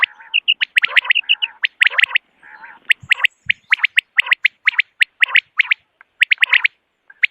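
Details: Common quail heard in the morning, recorded as a hunting call: rapid bright clipped notes, often in groups of two or three, broken by a few low buzzy bursts, fairly irregular.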